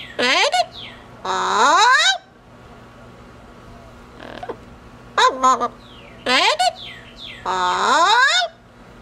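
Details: Pet double yellow-headed amazon, a female, outside her cage, speaking a few words in a parrot voice: harmonic rising and sliding phrases of about a second each, separated by pauses, with faint room hum.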